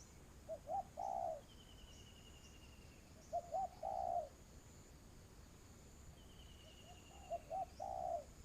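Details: Spotted dove cooing during a trapping session with a ground decoy: phrases of two brief notes and a longer low coo every three seconds, with a thin high trill from another creature between phrases.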